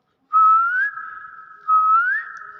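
Two clear, pure whistles from a common hill myna, each a long steady note that swoops upward at the end, about a second and a half apart.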